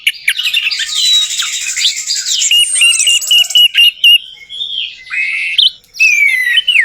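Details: Orange-headed thrush song played as a lure for a bird that has stopped singing: a dense, fast, varied warble of whistles and buzzy trills, mixing rising slurs and steady notes, with brief gaps near the end.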